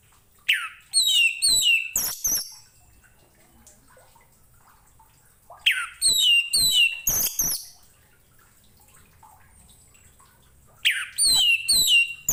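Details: Orange-headed thrush song meant for training other cage birds: three dense bursts of quick, varied, bright whistled phrases with sharp clicks, each lasting about two seconds and spaced roughly four to five seconds apart.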